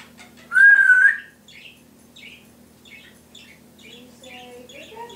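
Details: Timneh African grey parrot at home imitating household noises: one loud rising whistle followed by a run of soft chirps and low tonal murmurs.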